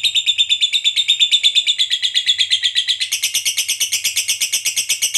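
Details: Ngekek panjang of a fighter lovebird, a lure meant to make other fighters react: an unbroken, rapid, high chattering trill of evenly pulsed notes, shifting to a brighter, harsher tone partway through.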